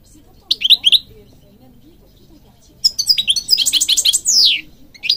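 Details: European goldfinch from Morocco, kept for training other birds, singing two bursts of high, fast twittering phrases with rapid rising and falling notes and a long descending slur, separated by a pause of about two seconds.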